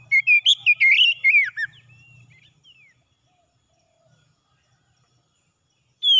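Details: Oriental magpie-robin morning song, used to restore stressed birds: a quick burst of loud rich whistles, rising and falling sharply for under two seconds, then near silence before another note begins.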